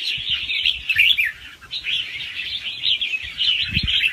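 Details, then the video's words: Young wild red-whiskered bulbul in fast-round song with doubled phrases, used to stimulate other birds; lively warbling, a brief lull near the middle, low thuds at the end. "ลูกนกกรงหัวจุกป่าคัดหัวปากเบาๆ รอบเร็ว มีลักเบิ้ล ใว้เปิดกระตุ้นนกฟังนกคึก"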